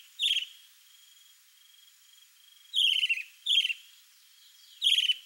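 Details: Male chalk-browed mockingbird performing for a female: one sharp scratchy note, a long pause, then three rough, chattering phrases in quick succession, a faint continuous high tone running underneath.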